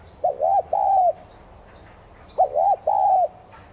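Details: Spotted dove of subspecies tigrina, kept as a decoy, cooing in 'thúc gù' style to excite other doves. Two crisp low phrases, each two short bent notes and a longer flat coo, with faint high twitters.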